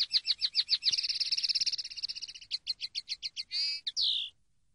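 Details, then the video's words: Common linnet song from a training CD: a fast run of repeated chirps flowing into a buzzy sustained trill, then quick varied twittering notes and a final drawn-out descending slur, bright and high, clean background. "CD CANTE DE PARDILLO 123"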